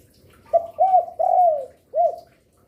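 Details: Spotted dove, an active, vocal bird said to call through day, afternoon and night, used as a lure for other doves: one low cooing phrase of a short coo, an arched coo, a long falling coo, a pause, then a final arched coo.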